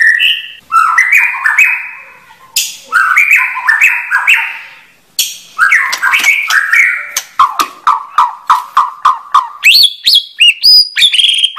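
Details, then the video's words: A white-rumped shama sings stepped, fluty whistled phrases with harsh edges, then a rapid even stutter of short notes and some high whistles at the end. "Kicau Burung Murai Batu"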